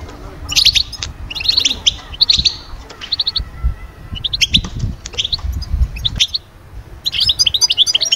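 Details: European goldfinch song intended to bring birds out of moult into summer breeding condition: repeated bursts of liquid twittering and quick trills, with pauses and low background noises.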